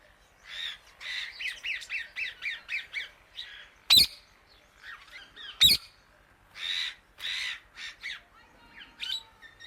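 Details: Indian ringneck parakeet calling loudly to other birds: a fast run of harsh, chevron-shaped squawks, then scattered shorter screeches and a final burst. Two sharp clicks punctuate the middle.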